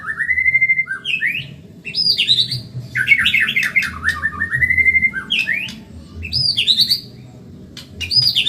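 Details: Fast, vigorous singing from a Medan white-rumped shama, used to train caged birds: clear whistled notes, rising and falling warbles and harsh high squawks in repeated phrases, over a low background hum.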